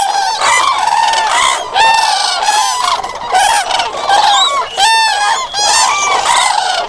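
Common cranes give loud, rolling trumpeting calls, many birds overlapping in a continuous clamor with harsh harmonics and repeated bursts every second or two.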